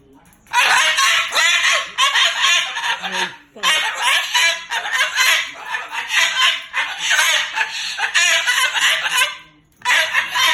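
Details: Angry Moluccan cockatoo loudly talking and cursing. Long stretches of harsh, rasping, choppy chatter are broken by two short silences, and a final burst begins at the end.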